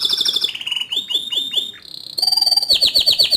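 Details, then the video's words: Vigorous canary song in ngerol rolling style with nembak bursts, made of high fast trills, a series of downward-sweeping slurred notes, a brief steady whistle, then rapid pulsed chattering rolls. "Kenari Gacor Ngerol Nembak Suara Kicauan nya ISTIMEWA"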